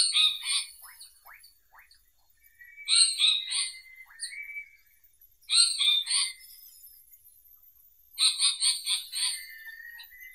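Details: Indian paradise flycatcher giving repeated harsh, scratchy phrases of stacked rasping notes, separated by pauses of about two and a half seconds. Scattered clicks and a short upslurred whistle come between the phrases.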